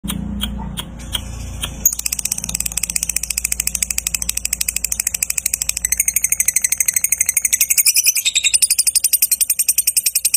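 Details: A lovebird, used as a lure to prompt other lovebirds to sing, gives a long ngekek song: a rapid, continuous run of shrill, buzzy chattering notes, several per second, after a few opening chirps, with a faint low rumble beneath.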